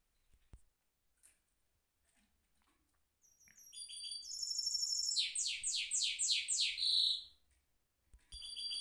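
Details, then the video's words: Caged goldfinch mule singing a rolling song: after a short quiet stretch, high buzzy notes lead into a fast trilled roll of repeated descending notes for about three seconds, then another high burst at the end. "mule goldfinch rolling on cage"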